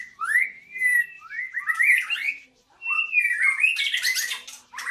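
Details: White-rumped shama singing at a breeding site, with long rising and falling whistles and warbled runs in two phrases split by a short pause, the second ending in harsh, noisy bursts.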